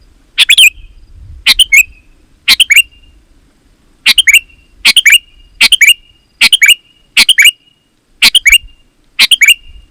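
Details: Sooty-headed bulbul singing in lively, chatty style, used as a lure call so wild bulbuls answer and as a tutor song for kept birds; ten short bubbly two- to three-note phrases, roughly one per second, loud and close, with faint low rumble early on.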